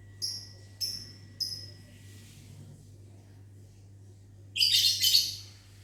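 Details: Lovebird kept in a mini aviary, calling back in the morning after being whistled to: three short, clipped, high chirps about half a second apart, a pause, then a loud, grating double screech.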